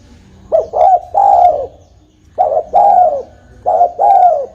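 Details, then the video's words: Spotted dove calling as a trapping lure, giving three closely spaced low phrases, each two clipped coos followed by a longer, slightly falling purring coo. "Suara burung tekukur"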